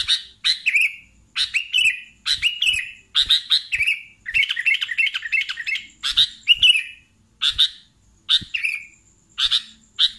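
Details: Sooty-headed bulbul singing vigorously: bursts of short, sharp chirps mixed with slurred, dropping whistled notes, and a rapid bubbly run near the middle. A faint steady high whine runs underneath.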